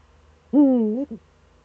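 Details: Eurasian eagle-owl in the Eifel, Germany, recorded 26 September 2013 between 07:04 and 07:23: a single harsh, harmonic, drawn-out call lasting about half a second, followed by a brief short note, over quiet low hum.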